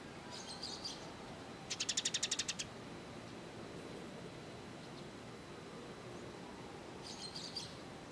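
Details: Kolibri ninja sunbird from Indonesian song-training material: soft high twittering, then a short, very rapid buzzy trill of about nine notes, and later another faint twitter against steady background hiss.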